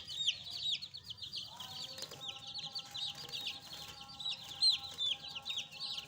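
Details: Many young chicks chirp together in a rapid, shrill flurry of short downward peeps, with a faint steady hum behind them.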